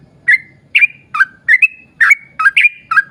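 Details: Lively yellow-vented bulbul in sustained song meant to prompt other bulbuls to sing: roughly nine liquid chirped phrases in three seconds. Some are doubled, and each trails into a short level whistle over a soft low rumble.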